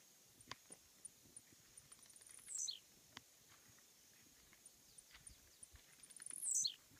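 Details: Blue-black grassquit perched on a fence beside a road, singing two high, sharp, buzzy phrases that sweep sharply downward, about four seconds apart, over soft rural background noise and scattered faint clicks.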